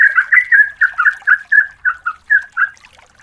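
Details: Yellow-vented bulbul female calling to a male, a recording meant as a lure: a lively run of about a dozen short warbled notes, quick and uneven, fading toward the end.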